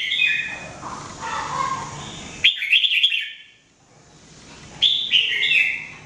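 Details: Jambul, the red-whiskered bulbul, in training song: a soft lower warble, then a loud quick whistled phrase, a quiet gap and another bright slurred phrase.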